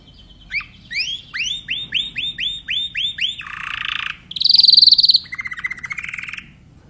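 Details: Timbrado canary delivering a row of about ten looped, upslurred whistles, then dense buzzy rattles and a bright high trill, ending on a lower rolling phrase.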